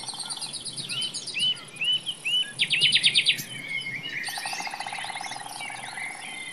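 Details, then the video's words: Common nightingale singing in a forest: clear upslurred whistles repeated about once per half second, a rapid dry rattling trill, then dense varied warbling with buzzy notes over a faint steady hiss. "The sound of a nightingale in the forest"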